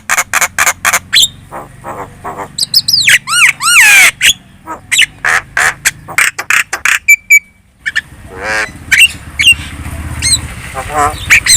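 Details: Javan myna (jalak kebo) in lively, chattering lure song meant to make other birds answer: rapid series of harsh clicks and squawks, rising-falling whistled swoops, a short buzzy trill, then more scratchy notes; faint low hum beneath.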